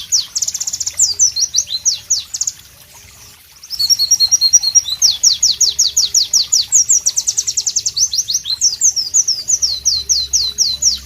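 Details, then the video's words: White-eye pleci song, loud and crystal-clear in tropical ambience: high chirps and a fast rattling trill, a brief pause near the third second, then a long energetic run of sharp repeated downslurred notes. "Masteran Pleci Bird Sounds Loud, Sharp and Melodious"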